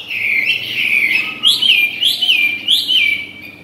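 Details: Chinese hwamei, a tame caged bird, singing while it eats and forages: a steady run of bright whistled notes, several sharply rising then falling slurs repeated about every half second.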